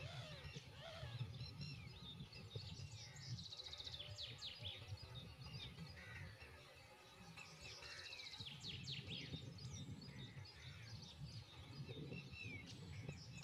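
White wagtail giving sharp, high chirping notes in quick bursts, clustered in two busier spells, over steady low rumble of wind or distant traffic.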